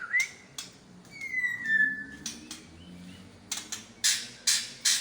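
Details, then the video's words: White-rumped shama of the Medan type, a kept songbird showing its imitated repertoire: a clear rising whistle, then a long level whistle near the middle, followed by sharp clicks and short loud bursts toward the end. "BURUNG MURAI BATU MEDAN BONGKAR ISIAN"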